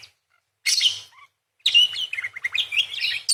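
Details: Vigorous parakeet song with long 'nembak' phrasing: a harsh chirp burst, a silent gap, then an unbroken stream of rapid chirps and slurred notes that rise and fall.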